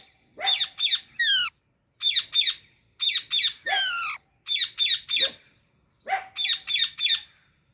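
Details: Baby Alexandrine parakeet repeatedly giving loud, harsh, rasping squawks in groups of two or three, with short pauses between groups and a few longer drawn-out squawks.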